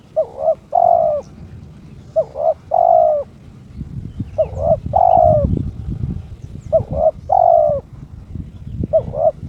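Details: Owned spotted dove (terkukur) in breeding condition, challenging an opponent: five phrases of two quick cooing notes followed by a longer purring coo, about one every two seconds, over low rumbling noise.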